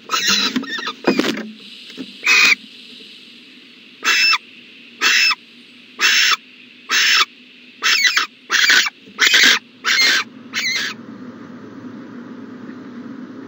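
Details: Morning at an owl nest box, 14 January 2020: a few scattered rasps, then a steady series of about nine short hissing bursts roughly every 0.6 to 1 second, ending in quiet with a low hum.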